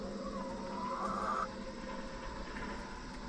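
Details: Backyard hens in their coop during the last half hour before roosting at night, settling down: a drawn-out, tonal, gently rising murmur lasting about a second, over a steady low background hum.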